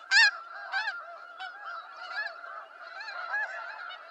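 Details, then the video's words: A flock of snow geese gives loud nasal honks: one harsh call first, then a constant overlapping clamor of many birds. "Snow Goose Sounds"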